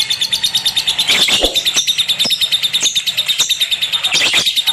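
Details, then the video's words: Lovebird kept at home producing a rapid, rhythmic high-pitched twitter, a steady pulsing trill of thin chirps with occasional sharper squeaks and clicks breaking through. "KiCAU BURUNG LOVEBIRD"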